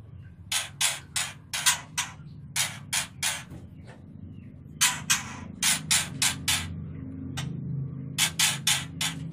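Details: Female White-rumped Shama (murai batu) giving a dry ticking rattle, calling a male: sharp clicks in quick runs of four to six with pauses between, a low hum underneath.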